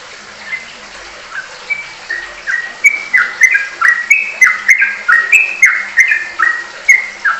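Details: Trucukan (sooty-headed bulbul) in full ropelan: rapid, loud, repeated whistled phrases, each a high note sliding down, quickening and intensifying over seven seconds.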